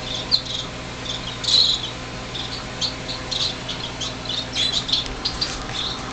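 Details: Six baby finches in a greenhouse on fledging day, January 2007, making plenty of noise: frequent high chirps and squeaks in irregular bursts over a low steady hum.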